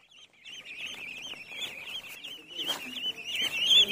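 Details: Duckling in a pond calling: a continuous stream of thin, high, wavering peeps with little pause, rising in loudness toward the end, and faint lower sounds underneath.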